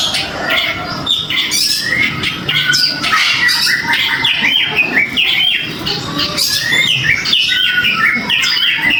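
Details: Caged kacer (Oriental magpie-robin) provoked into song by a small stimulus: continuous, varied whistled and chattering phrases, many with quick rising and falling slurs, dense throughout.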